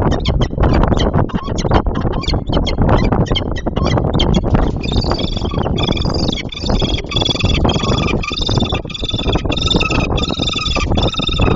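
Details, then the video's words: Female peregrine falcon chasing away an intruding falcon, defending nest box and hunting ground outside the breeding season, 28 September 2024; heavy wind buffeting at first, then a long, harsh, wailing call with layered tones over steady wind rumble. "Slechtvalk Vreemde valk"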